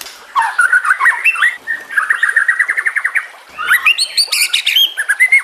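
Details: A White-rumped Shama sings a rich, varied song of clear whistles, rapid trilled runs and sharp high notes in fast changing phrases, with nature sounds and trickling water behind.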